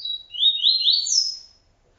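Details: Double-collared seedeater, single TuiTui encarte phrase: a thin high whistle then three quick rising buzzy notes and a final high slurred note, fading out in quiet.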